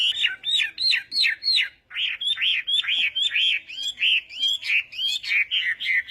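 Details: Chinese hwamei, a morning song for voice training: loud whistled phrases in rapid rising-and-falling notes, repeated about three times a second, clear and dominant with almost no background noise.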